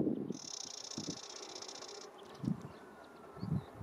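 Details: A male spectacled warbler (Sylvia conspicillata) at Gáldar, Gran Canaria, February 2023, gives its repeated dry, buzzy trrr rattle lasting under two seconds, high and even, over low thumps of wind.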